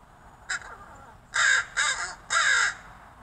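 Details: Friendly neighborhood crow, fed from a fire escape, vocalizing to the person who feeds it: one short harsh note, then three louder rasping bursts close together, each about a third of a second long.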